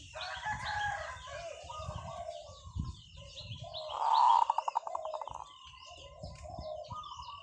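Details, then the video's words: Decoy zebra dove singing with long calls: after several seconds of other birds' chirps and low rumbling noise, a loud burst of cooing turns into rapid clipped pulses lasting over a second. "เสียงนกเขาชวาต่อ ออดยาวๆ"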